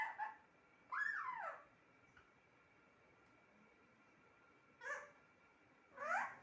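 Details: Pet talking parrot making four short voiced bursts with sliding, swooping pitch, separated by pauses of silence; a faint constant background hum is heard throughout.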